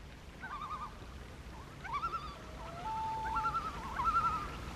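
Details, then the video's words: Loons give quavering, yodel-like tremolo notes mixed with smooth sliding wails, several calls overlapping, over a faint steady background hiss. "Call Of The Loon"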